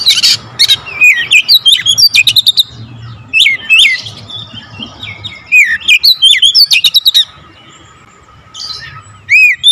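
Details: Varied song of an Oriental magpie-robin: rapid chattering clicks mixed with bending whistled phrases, about three notes a second, bunched into bursts, then a quiet gap before a final swooping whistle; faint hum behind.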